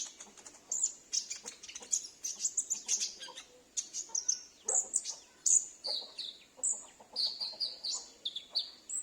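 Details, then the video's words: Sunbird at home, calling back each time a lure recording sounds, a lure also aimed at wild sunbirds; a long run of shrill, high twittering chips and short descending whistles, fairly continuous. "Pancingan Konin Macet / Konin Bahan dan suara pikat"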